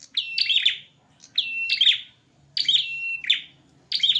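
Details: Two male prinias in a fierce fight, giving bursts of sharp, clipped chirps that slide into flat buzzy trills, about four bursts in quick succession with brief silent gaps.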